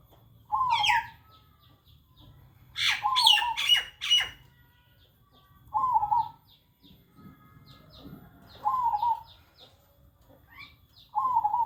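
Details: Zebra dove that shows no fear of people, cooing repeatedly. Five trilled mid-pitched coos at irregular intervals, mixed with sharp high chirps and squeaks from other small birds nearby.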